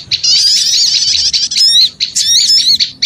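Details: Small birds calling noisily, used to lure others: high chattering twitters with thin, bending whistled notes, loud and busy with two short pauses.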